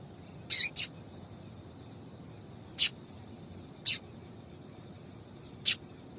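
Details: Female Yellow-bellied seedeater calling to excite and stimulate the male: five short, sharp, high chips at irregular spacing, the first two close together, then single notes roughly a second or more apart, against quiet background hiss.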